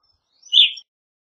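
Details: Evening grosbeak giving one short, loud, slightly burry chirp, preceded by a faint high thin note; quiet background otherwise.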